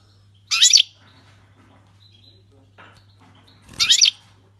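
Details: Syrian goldfinch singing, its song praised as the 'king's language' without mistakes; two short bright buzzy-twittering bursts about three seconds apart, with a faint low hum underneath.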